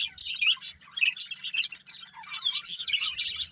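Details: A pair of breeding budgerigars chatters continuously, high scratchy twittering with sharp squeaky notes mixed in, fast and irregular, over a faint steady low hum.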